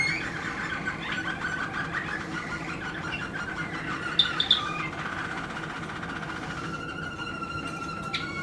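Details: Waterslager canary song, 2016 recording: a low, continuous warbling run of rolling notes with a brief brighter accent near the middle and a steady held tone toward the end.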